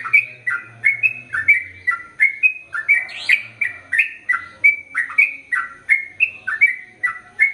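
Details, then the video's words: Sooty-headed bulbul singing a long, energetic run meant for tutoring males and females: rapid, clear two-part whistled notes repeated steadily, one brief harsher burst near the middle, soft low rumble at the start. "Trucukan Gacor ROPEL PANJANG Untuk Masteran Burung Trucukan Jantan Dan Betina Biar ROPEL PANJANG"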